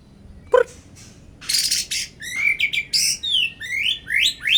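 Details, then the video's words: Captive white-rumped shama kept in strong sunshine to raise its vigour and fitness: a sharp click, then loud buzzy bursts giving way to varied whistled phrases that rise and fall in quick succession. "salah satu cara menaikan emosi burung muraibatu"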